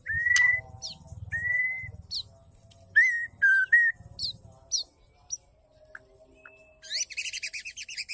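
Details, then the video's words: Female white-rumped shama calls used to excite males into song: spaced pure whistles on one pitch, harsh upward flicks between them, quiet stretches with a soft low tone, and a closing burst of rapid notes. "pancing dengan suara murai betina gacor"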